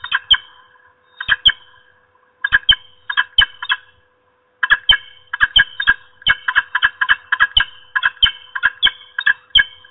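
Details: Female peregrine falcon at her nest scolding an intruder before flying off to chase it: harsh, nasal, strident calls delivered in rapid clustered volleys, pauses between bursts, sound clean and otherwise quiet.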